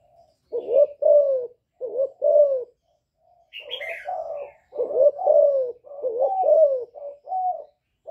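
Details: Young spotted dove giving calling and bowing coos in the hạp bổi style to provoke wild doves; low paired coos repeating steadily, with a brief higher chirp and denser overlapping coos in the second half.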